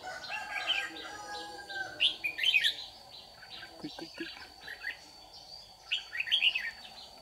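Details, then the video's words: Morning trapping in Đồng Nai, Vietnam, on 26 June 2019: a caged Red-whiskered bulbul lure bird sings a competitive song of quick chirpy warbled phrases separated by short pauses, over a constant high whine. "Bẫy chào mào Má trắng đấu sáng"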